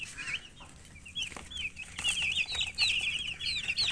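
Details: Chicks of domestic hens peeping in a busy chorus of shrill, quick chirps, each note a brief up-and-down whistle, growing louder and denser toward the end, with low background hum.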